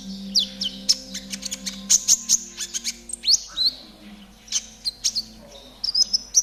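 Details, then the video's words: Spotted konin, a caged songbird, in energetic song used for training: quick high clicks and ticks mixed with thin rising and falling whistles, coming in clustered bursts over a low background hum. "TERAPI KONIN TROTOL AGAR CEPAT BUNYI || MASTERAN KONIN TROTOL GACOR"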